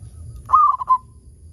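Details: A single quick phrase from a local zebra dove, sung as a lure to set other zebra doves singing: a rapid run of mid-pitched cooing notes ending on a brief, clearer note.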